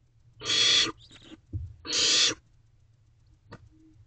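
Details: Barn owl owlets in a nest box at night in May, during allopreening between siblings, two broad rasping hisses with soft rustling and a faint click between them.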